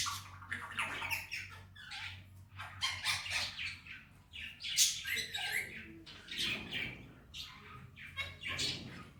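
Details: Male Indian ringneck kept as a pet, talking "Mithu bete, Miya Mithu" in Hindi-Urdu: a busy string of harsh, chattering speech-like squawks and chirps at irregular intervals, with a low electrical hum beneath.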